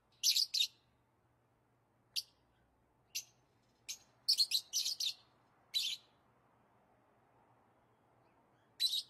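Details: Piercing high lovebird chirps in irregular bursts, some doubled or tripled, with longer quiet gaps between them in a calm indoor setting.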